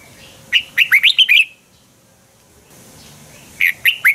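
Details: Fighting song of a red-whiskered bulbul, used to train birds to sing in the morning: a burst of five sharp, chirpy rising-and-falling notes, a pause of about two seconds, then another quick run of three notes.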